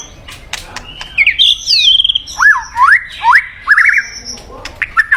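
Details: A White-rumped shama singing as a lure to call in a mate: a few drawn-out whistled slurs, wavering trills and upward sweeps over a steady soft background hiss, with sharp clicks throughout.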